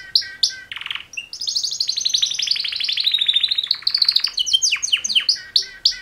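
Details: One of two male canaries in mating song, mixing whistled notes with a long rapid rattling trill, then a burst of sweeping chirps; varied, continuous and loud.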